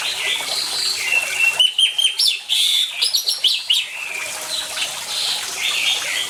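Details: Lively orange-headed thrush song with running water behind it, to encourage silent birds to sing: dense, rapid bursts of high chirps and slurred whistles, fading into softer, distant-sounding phrases.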